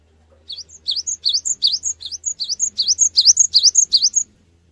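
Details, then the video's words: Cinereous tit singing, recorded to provoke quick answers from other birds: a steady, accelerating series of about fourteen high, sharply upslurred whistles, each paired with a short higher note, against a faint low hum. "GELATIK BATU GACOR | Pancingan Suara Burung Gelatik Batu Cepat Respon"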